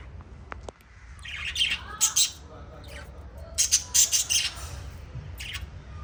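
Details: Pet lovebirds uttering loud, high, sharp chirps in short bursts of several notes, separated by brief quieter gaps with soft twittering.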